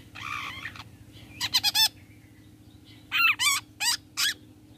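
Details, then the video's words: Long-tailed shrike call used as a lure to make other shrikes answer: rasping, buzzy bursts in quick groups, a grating opening note then clusters of three and four harsh chattering notes, over a low steady hum. "PANCINGAN CENDET TOET TOET AMPUH BIKIN CENDET MANAPUN NYAUT BUNYI SEKETIKA"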